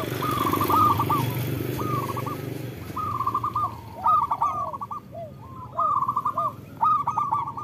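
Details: Singing local zebra doves, a recording offered as song therapy for doves reluctant to sing; bursts of rapid cooing notes separated by short pauses, some low curved coos, and a vehicle rumble at the start.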